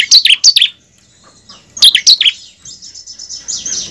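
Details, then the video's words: Bar-winged prinia singing, a lure recording meant to get kept birds singing hard: two quick clusters of high, sharp chirps and trills about two seconds apart, then a thin, fading high twitter. "pancingan ciblek ampuh mempercepat ciblek gacor dan ciblek ngebren"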